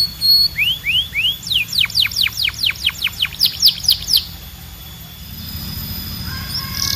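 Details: A canary sings three rising slurred whistles, then a run of long, steeply falling sweeps roughly three per second, ending in quieter high notes and soft background hiss.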